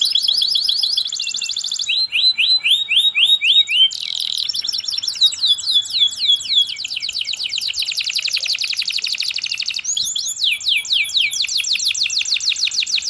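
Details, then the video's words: Canary delivering sharp rolling song over thirteen seconds: successive fast trills of repeated notes, each section changing pitch and tempo, with brief piercing held notes between phrases. "KENARI GACOR NGEROL TAJAM||MASTERAN BURUNG||Kenari Gacorr cengkok NEMBAK."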